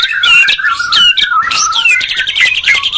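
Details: Two white-rumped shamas, from Medan and Borneo, dueling in song: sustained whistled glides and sweeping notes overlapping in a dense, loud exchange.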